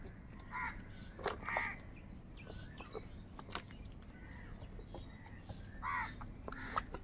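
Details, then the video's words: Crow calls during a scramble for food: hoarse caws come in pairs, two near the start and two more near the end, with brief clicks and faint chirps of other birds between them. "Different kauwa ki awaz | Kaka sound and Noises of Crow birds | crow bird live crowing sounds"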